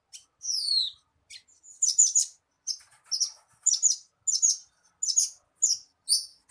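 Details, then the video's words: Bushlark song used to get a captive bird singing: clean high chirps and short trilled phrases, bursts repeated about every half second with brief pauses, no other sounds. "SUARA PANCINGAN BURUNG BRANJANGAN AGAR CEPAT GACOR"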